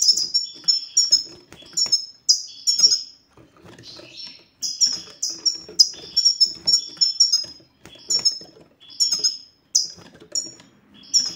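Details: European goldfinch 'batbata' ('satsata') song, used as a tested way to make silent males sing: long bouts of fast, high, glittering twitters and slurred chirps, interrupted by one short quieter gap midway.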